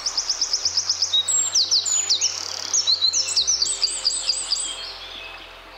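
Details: A Eurasian wren (Troglodytes troglodytes) in the UK gives harsh calls: loud, very high, rapid chattering trills and sharp ticking notes in several quick bursts over a faint low hum.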